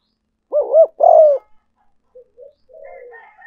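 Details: Spotted dove decoy call used for luring: two quick looping warbled notes, then a longer drawn-out coo falling in pitch, followed by soft low trailing coos and faint higher notes in a clean, quiet setting.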